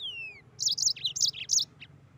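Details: Mozambique canary in full song: a fast run of high, sweet slurred notes in a rolling sequence. A thin, long descending whistle opens the recording, and faint low hum runs underneath.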